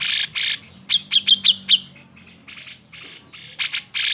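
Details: Emotional, agitated song of a grey-cheeked bulbul for provoking lazy birds to sing: harsh rasping bursts bracket a run of five sharp whistled chirps, with further scratchy notes at the end.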